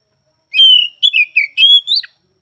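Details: Oriental magpie-robin (kacer) song, recorded at some time across morning, afternoon and night: a short, clear whistled phrase of five sliding notes, the last ones rising and then dropping sharply.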